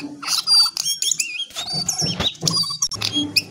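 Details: Lesser shortwing giving a sharp chattering song: bursts of high, thin whistles and trills mixed with quick rising and falling notes, broken by short pauses, over a low background hum.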